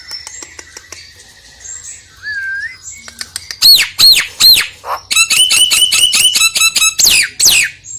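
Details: Song of a Nias hill myna, used as a lure for a reluctant singer. A quiet opening of faint whistles and clicks gives way to three loud arched whistles, a low squawk, rapid ringing notes and two sweeping calls.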